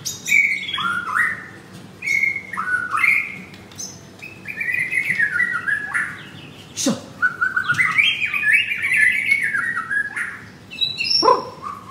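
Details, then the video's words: Male white-rumped shama kept in a cage at a Jakarta bird kiosk in Kemayoran, a bird with two to three moults, singing a series of paired whistled notes that step downward, then a quick sharp note and louder jumbled, descending phrases. "Murai Batu Gacor"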